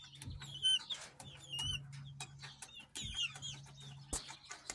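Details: Two chicks of uncertain breed, hatched 3 May 2023 and recorded 24 July 2023, giving scattered high peeps that curve downward, mixed with sharp tapping clicks and a steady low hum.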